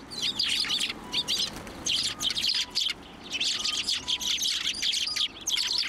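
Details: A flock of sparrows taking food from a hand at a Tenmangu shrine, 1 January 2024, keeps up dense, continuous high chirping with hardly a pause.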